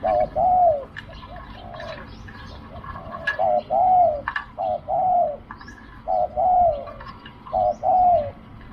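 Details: Repeated cooing of a spotted dove at a decoy-luring site: steady pairs of short then drawn-out falling hoots, about six phrases in close series, with scattered high chirps and clicks from other birds in the background.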